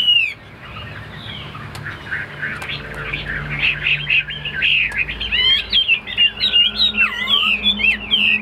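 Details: Caged male Chinese hwamei, a tame bird, delivering a rich, tumbling song of quick whistled notes and slurs, starting softly and building into loud, continuous varied phrases with a faint low hum behind.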